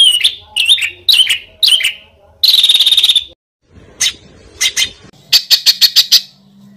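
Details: Master recording of varied birdsong for training competition birds. Looping whistled phrases and a dense buzzy burst are followed by scattered notes and a quick series of sharp high chips.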